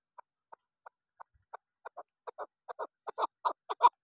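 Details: Female chukar partridge starting with widely spaced single chuck notes that speed up and grow louder, turning into paired, harsher clucks by the end of the accelerating series.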